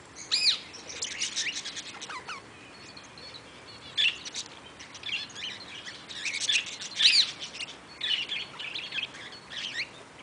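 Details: Eastern rosella at Velserbeek: sharp, high whistled and chirping notes come in bursts at about 0.5, 4, 6.5–7 and 8 seconds, with softer chatter between them and a light background hiss.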